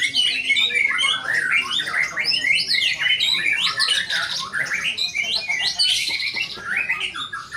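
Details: A white-rumped shama performing pours out a loud, nonstop song of rich whistles, rapid trills and harsh chattering phrases that jump between high and middle pitches.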